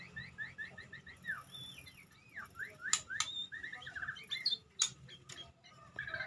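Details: White-rumped shama in a field setting singing a fast, varied string of short chirps, rising and falling slurred whistles, and trills, with occasional sharp clicks between phrases.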